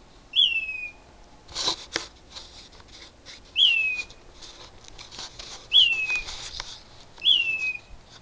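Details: In the dark at 4am, a loud bird in a mesquite tree repeats a downslurred whistle four times, each note piercing and short with a level tail, spaced about one and a half to two seconds, amid soft rustling noise.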